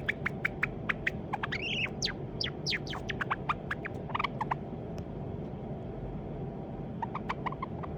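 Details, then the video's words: A young white Java sparrow, probably male and kept as a pet, practises its song: rapid dry clicks and a few soft, rising whistled notes, a pause, then more clicks, over a steady low household hum. "文鳥さん さえずり練習 java sparrow"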